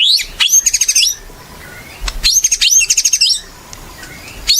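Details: White-rumped shama singing actively as a lure for other shamas: two bursts of rapid high rattling notes with whistled overtones, each about a second long, separated by quiet pauses.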